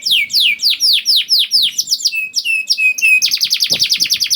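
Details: Canary song from a young bird, meant to make hesitant canaries join in. Slow descending slurred notes give way to level whistles, then a very rapid high trill, with a brief low thump near the end.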